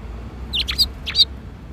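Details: At a Tenmangu shrine on an April 2021 afternoon, sparrows come to be fed; two brief pairs of bright, slurred chirps in quick succession against a faint low hum.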